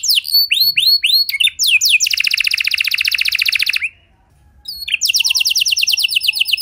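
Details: Canary song played to prompt other canaries to sing along: loud, high, fast trills of rapidly repeated rising-falling notes, with whistled swooping phrases at the start, a brief pause near the middle, then another rapid trill.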